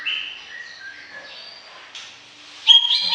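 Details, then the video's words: Greater green leafbird (cucak ijo) song: soft, scattered whistled notes at differing pitches, then a sudden loud, sharp burst of high squeaky notes near the end. "Suara Kicau CUCAK IJO Gacor Panjang"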